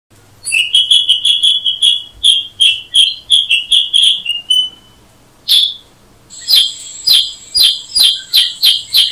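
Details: Black-headed Bulbul (Brachypodius atriceps) giving a rapid run of short, bright chirps with a clear whistled tone, about three per second, a brief pause, then sharper clipped notes resuming in a steady series.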